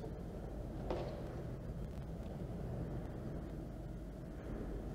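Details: Steady low engine or traffic rumble throughout, with one brief scraping burst near the first second; no animal voices.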